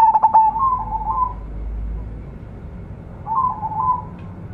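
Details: Young local zebra dove gives a quick stutter of cooing notes that slides into a wavering tone, with a second quieter wavering phrase later over low background hum.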